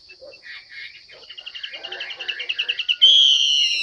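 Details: Female Chinese hwamei calling so that males sing: soft chattering notes speed up into a fast rising trill, ending in one loud, long whistled note.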